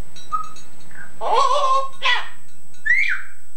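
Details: Pet male Yellow-naped Amazon parrot imitating his owner's singing and her English Scouse accent, from an old tape: a short pure note, then rough, voice-like drawn-out syllables and a rising-then-falling cry.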